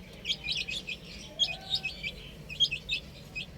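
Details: Chicks on a roof cheep in short high bursts separated by brief pauses, a soft low hum running underneath.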